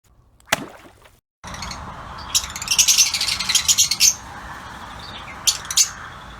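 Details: Lutino Fischer's lovebirds in an outdoor aviary: after a sharp click and a short gap, a dense burst of shrill, high chirps and squeaky chatter, then a few isolated piercing chips near the end.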